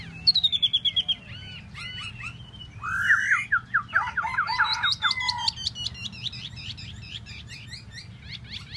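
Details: Tieu mi bird singing a varied phrase: a quick series of descending high notes, scattered chirps, a harsh burst, then a dense stretch of rapid ticking and whistled slurs before fading.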